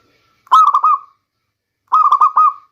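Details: Zebra dove of local stock singing, a recording meant as a rainy-season lure: two soft, rounded coo phrases close together, each made of rapid pulsed notes that finish in a sustained, slightly falling hum. No other sounds.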